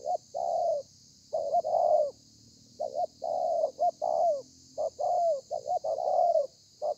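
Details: Wild-caught spotted dove giving the 'thổ pha' song with 'lèo dặm' variations, recorded 30/11/2020: dense run of low hollow coos, short clipped notes alternating with longer falling ones, nearly continuous. Steady faint hiss.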